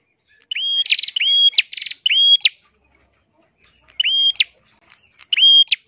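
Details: Ashy prinia in lively full song, used for training other songbirds: sharp hooked whistles, each rising then held level, joined by a brief buzzy rattle, given in two quick bursts separated by a pause of about a second and a half. Background is quiet.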